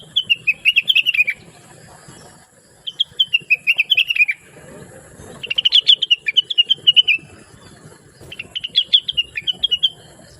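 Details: Blue-winged leafbird, a lively and sweet-voiced singer recorded to teach songs to other birds. It gives four bursts of fast, high, twittering notes that wander up and down, with quiet spells and soft background noise between them.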